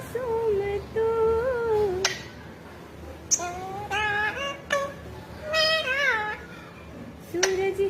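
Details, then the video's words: A pet parrot sings a song in a human-like voice: nasal, wavering sung phrases rising and falling, with short pauses between them, in a quiet room. "तोता कैसे गाना गा रहा है"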